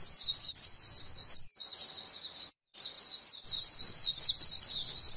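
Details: White-eye singing the líu style in grassland: fast, high, jumbled twitters and slurred notes in two long phrases split by a short silence midway.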